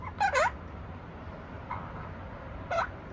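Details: Pet opaline monk parakeet calling indoors: a pair of short, harsh, rasping squawks at the start, then two more single grating notes spaced about a second apart over a quiet background.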